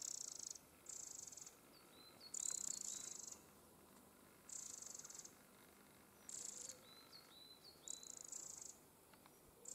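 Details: Eurasian wren family near its nest, with several young birds that recently fledged. Loud, hissing, high-pitched bursts lasting about a second repeat every few seconds. Short, thin chirps are scattered between them over a quiet background.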